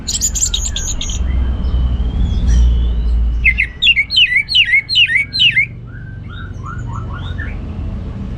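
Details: Kept orange-headed thrush from northern Bali in energetic song: a high buzzy rattle, then a series of six repeated bright slurred notes about every half second, followed by softer chirps, over low room hum.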